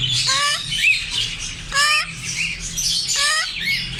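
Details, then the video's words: African grey parrot calling with natural sounds: three loud rising squawks with stacked harmonics, about every one and a half seconds, with short whistled upslurs between them and a faint low hum behind. "African grey parrots||parrot talking natural sounds"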